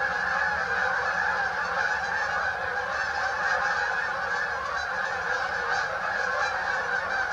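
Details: A crowd of Canada geese at St Anne's Lagoon, their blended honking holding steady in loudness throughout.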